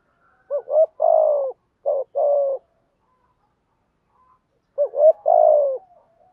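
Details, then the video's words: Decoy spotted dove calling to stir and lure wild doves: two phrases of low, hoarse coos, each a short double note followed by a longer, falling, drawn-out coo, separated by about three seconds of silence. "Chim cu gáy mồi có giọng gáy hay và bài bản, kích bổi nhanh nổi và gáy nhanh"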